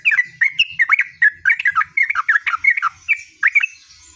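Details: Yellow-vented bulbul in full rolling song, pouring out rapid chattering, slurred whistles in a steady lively stream with scarcely a break.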